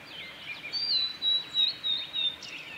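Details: Male blue-and-white flycatcher singing on the Kanazawa forest road at Lake Miyagase, 7 May 2020: a long, high, clear whistle that holds steady then dips, surrounded by quicker warbled notes over faint outdoor hiss.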